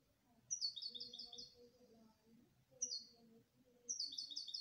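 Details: Canary singing: three bright, high rolling trills of rapid repeated notes, each about a second long and separated by short pauses, with a soft low hum in the background.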